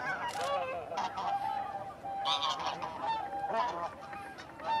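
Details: Honking taiga bean geese at Kabukuri-numa marsh in Japan on 14 December 2019: several birds give overlapping nasal, trumpeting honks in quick succession, making a busy flock chorus.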